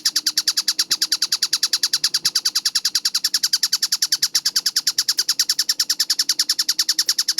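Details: Kingfisher (tengkek buto) in a masteran recording dated 4 August 2026, promoted as clear and fast: continuous harsh, ticking chatter, about three notes per second, with a few faint taps in the background.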